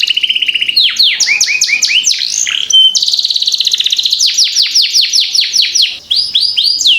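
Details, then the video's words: Canary song used as master recording to train young birds to sing quickly, long rolling style: a row of clipped whistled notes, rising sweeps, brief pause, then a long rapid rolling trill of repeated sweeps ending on a rising note. "Masteran Kenari Gacor Ngerol Panjang"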